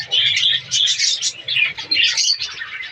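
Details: Captive budgerigars in a breeding colony during the breeding season: a dense, continuous chorus of high, buzzy chirps and warbles from many birds overlapping, with brief dips between bursts.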